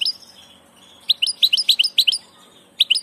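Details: European goldfinch of the 'del paso' (passage) kind, delivering a short burst of quick, liquid, twittering chirps after a brief pause, then two final notes.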